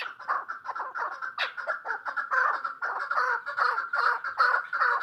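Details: A female chukar partridge calls in hoarse, doubled chuck notes that grow louder and fuller halfway through, keeping a rolling, slightly uneven rhythm.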